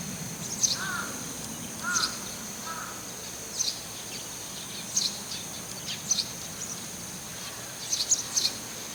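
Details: A Eurasian tree sparrow calling from a rooftop, where the same bird calls often: short, sharp, high chirps, singly or in quick clusters about every second, over a steady high-pitched whine and low hum.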